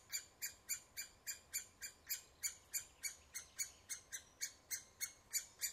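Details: At the nest, a woodpecker repeats short, scratchy, high-pitched calls in an even rhythm of roughly three to four per second, about twenty notes in an unbroken series.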